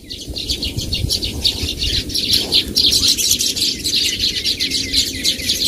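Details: Loud, close chatter of Baya weaver birds: bright, high chirps and short buzzy notes packed densely together, with only faint low background noise.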